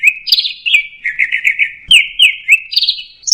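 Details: Anis merah (orange-headed thrush) 'teler' song as a continuous fast chattering warble of buzzy slurred notes, rising and falling without pause, sung loud and close.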